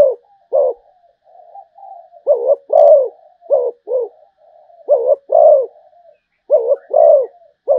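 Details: Rolling, bubbly coos from a Malaysian zebra dove come in short paired bursts, linked by faint continuous purring trills, in an otherwise quiet setting.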